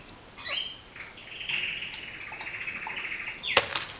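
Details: A caged pair of kakariki playing and doing acrobatics: a sharp chirp, then a long wavering whistled note held for about two seconds, ending in a clatter of wings or cage.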